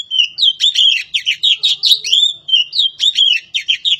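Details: Kacer poci, a Javan magpie-robin, sings a rapid, continuous run of varied sweet whistles and chattering notes. The phrases rise and fall, broken only by brief gaps, with no other sounds.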